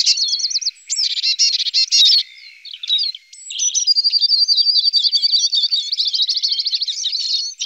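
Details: Eurasian siskin at alder cones: a chattering run of high chirps and trills, a brief quieter stretch, then a sustained wheezy, buzzy warble laced with rapid twittering notes.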